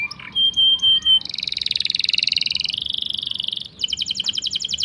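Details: Canary song for tutoring or prompting stalled and young canaries: clear high whistled notes, then a long dense buzzing roll, then a fast rattling trill of sharp repeated notes.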